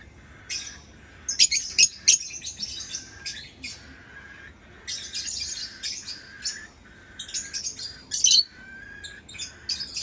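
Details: Lovebird chirping in bright, shrill bursts, quick strings of high notes broken by a few louder sharp squeaks and brief pauses.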